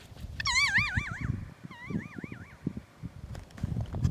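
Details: Kea trying to break into gear and checking out the camera: two bouts of wavering, warbling whistles that rise and fall quickly, the first with a higher overtone layer, over low thumps and scuffing from the bird's rummaging.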